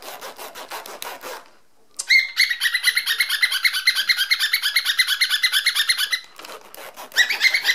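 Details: Male pet cockatiel kept indoors, reacting to the sound of a zipper opening and closing: a long, rapid burst of bright, buzzy chattering pulses at about six per second, lasting around four seconds after a short pause, with rasping in between.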